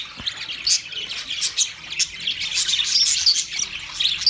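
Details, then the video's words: Twenty pairs of budgerigars chirping together, a constant flock chatter of thin, high tweets and scratchy warbles, with brief louder bursts around the middle and end. "20 Budgie pairs chirping sounds"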